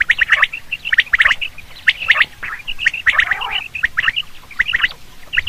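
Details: Common quail calling, a sound used for hunting: clusters of sharp, high chirps in quick pairs and triplets, mixed with a brief harsh, grating burst near the middle.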